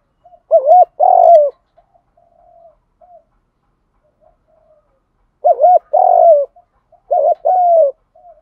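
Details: Spotted dove in the 'thúc gù' coo used to rouse decoy birds: three low two-note coos, one early and two close together later, with faint soft murmurs in the gaps.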